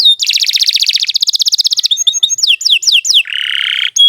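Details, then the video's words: Long lively canary song used as a tutor for beginner songbirds: a fast buzzy trill lasting almost two seconds, bright chips, several quick falling whistles, then a harsh rolling buzz and a final sharp note. "Kicau Burung Kenari 86 II GACOR PANJANG Cocok untuk Masteran"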